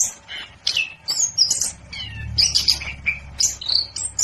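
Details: Anis kembang, the orange-headed thrush, singing energetically: a mix of sweet whistled notes, slurred downward phrases and sharp chips. A faint low hum sits underneath.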